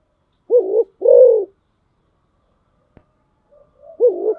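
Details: Decoy spotted dove giving low hollow coos: a short note then a longer drawn-out one, a pause of about two seconds, then another coo begins.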